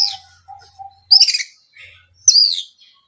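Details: Oriental magpie-robin (kacer) song meant as a lure for other birds: two short bright whistled bursts with a sharp sweep, separated by quiet gaps, faint low steady tone underneath.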